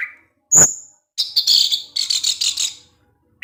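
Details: Orange-headed thrush in evening teler song, provoking rivals, gives a sharp high whistle, then a run of buzzy, chattering notes repeated roughly every quarter second.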